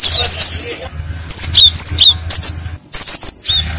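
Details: Cinereous tit lure song answered by other tits. Repeated high, slurred whistles, some falling sharply, tumble out about four per second over a continuous low hum.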